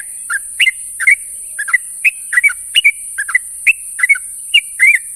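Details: Sooty-headed bulbul in the morning calling its companions, giving a busy run of short whistled chirps, rising and falling notes in quick twos and threes, about three per second, over constant high hiss.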